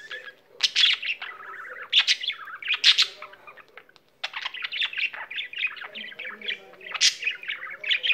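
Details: Singing pet budgerigar, a dense rapid chatter of buzzy chirps and whistles with a brief pause midway before the warbling resumes just as fast.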